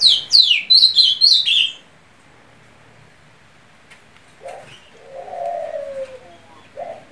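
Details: Ultramarine grosbeak song: a quick run of clear whistled notes sliding down from high to mid pitch, about two seconds long, followed by quiet and then low, soft dove-like cooing.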